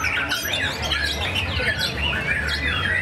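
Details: Competition white-rumped shama in Karawang, first outing after moulting, singing in a main-class contest it won at a club anniversary event; dense run of sharp whistled phrases and chattering notes, with a steady low crowd hum beneath.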